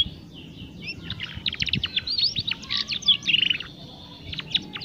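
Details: Juvenile canary practising its song, used to coax young canaries into singing: a continuous, jumbled warble of high chirps and short trills over steady low noise.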